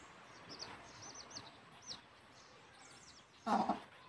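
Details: Chicks following their mother hen back to the nest to roost, peeping in quick, thin, high notes, followed by one loud, harsh hen call at the end.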